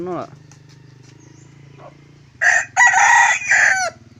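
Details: Large decoy wild junglefowl, said to crow well and loud, recorded 27 October 2020. A loud crow of about one and a half seconds comes in rich harmonic bursts and ends with a drooping final note, over a constant low droning hum.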